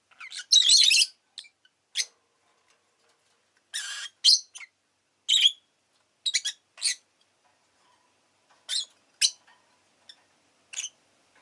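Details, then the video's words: A caged rosy-faced lovebird opens with a loud rasping burst, then scattered short sharp chirps spaced every second or so, some faint, with quiet stretches between. "Lovebird Chirping Sounds"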